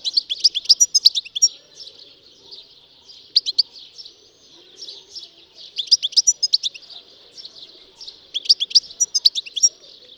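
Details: European goldfinch song: bursts of rapid, high, tinkling twittered notes with sharp chips, delivered in phrases of about a second and a half, repeated roughly every two and a half seconds, with quiet pauses between.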